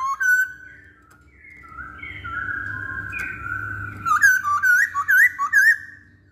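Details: Masked laughingthrush singing, recorded as a lure to prompt other birds to sing. A long sustained whistle runs into a quick string of looping, wavering whistled notes repeated several times at the end.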